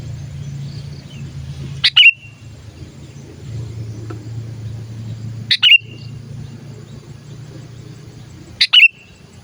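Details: Sooty-headed bulbul calling, used as a lure recording for other bulbuls: three short, sharp chirps with a quick downward tail, spaced about three to four seconds apart over a low, steady background rumble.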